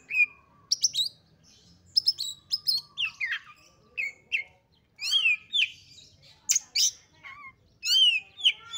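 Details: Female Oriental magpie-robin lure meant to excite males to open their tails and fight: scattered high chirps and whistles, then louder arched, sweeping whistled notes in irregular clusters.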